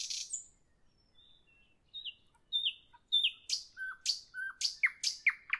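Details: Nightingale singing in the evening: a high buzzy opening, then clear whistled notes sliding down, building into loud repeated downslurred phrases, about eight in the last three seconds, on a quiet background.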